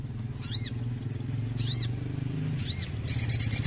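Sooty-headed bulbul giving three bright, arching chirped phrases about a second apart, then a brief buzzy trill, over a steady low rumble.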